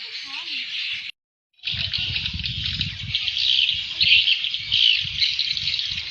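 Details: Call used to lure swiftlets, which respond to it: a continuous high chattering twitter of overlapping chirps, briefly cut to silence near the start, over a low fluttering rumble.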